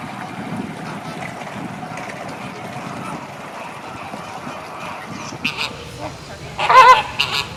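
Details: Flamingos in a steady, murmuring background din. Near the end, loud nasal honks burst out in a short, goose-like cluster, with a few more honks just before.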